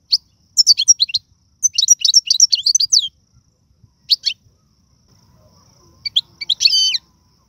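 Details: Algerian goldfinch song in tiwawati galoubi, sarfati and mandolin styles: busy high twittering phrases of varied chirps, a short pause, one more phrase, then a twitter ending in a sustained buzzy note.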